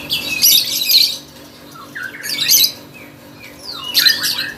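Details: Lovebird in full contest song, three loud harsh noisy squawking bursts spaced about a second and a half apart, each a broad rasping screech with a few short chirps between them, indoors with a steady low hum.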